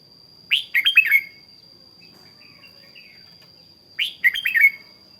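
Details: Red-whiskered bulbul decoy in morning song training, delivering two near-identical short phrases of fast, liquid, warbling whistles that end in a drawn-out slur, a few soft notes between, over a constant high whine.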